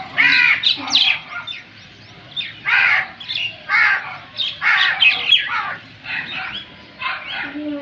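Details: Loud, hoarse caws from a crow, delivered in clustered bursts of two or three with short pauses between, each harsh and broadband, over quiet low background noise.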